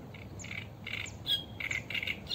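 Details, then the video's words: Eurasian reed warbler recorded live along the Sarno River in Italy, giving a short run of grating, buzzy chirps and a clearer whistled note, uneven in spacing, over a soft constant background rush. "Cannaiola canto richiamo ripresa live Fiume Sarno"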